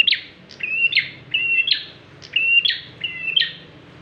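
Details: Bar-winged prinia singing as a lure for other birds: rapid series of loud, high, clipped whistles, each a short level note followed by a bright downslurred burst, repeated about twice a second.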